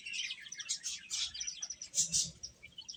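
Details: A brief burst of chicks eating and cheeping, short sharp high chirps repeated quickly by several birds together.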